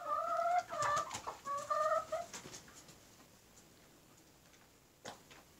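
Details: Rooster of a black Indonesian breed with black eyes, skin and meat, among his flock; a run of nasal, harmonic calls in the first two seconds, then near quiet with a single faint knock.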